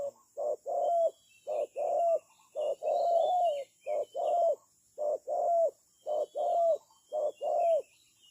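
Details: Spotted dove decoy for bird trapping, delivering a steady series of low paired coos, a clipped note then a longer one, with soft background chirping from small birds.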